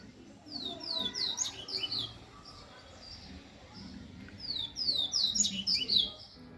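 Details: Double-collared seedeater song from a strong singer: two bursts of rapid, high descending whistled slurs and trills, about a second apart, over low background hum.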